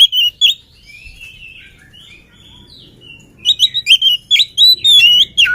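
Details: Before being fed, a brisk oriental magpie-robin opens with two sharp whistles and soft, wandering warbles. It then launches into a loud, rapid string of piercing whistled and trilled notes.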